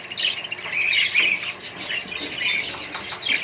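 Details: Budgie colony shared with other birds: bright, squeaky chirps and warbling notes run together without pause, several birds overlapping in a busy, high chorus.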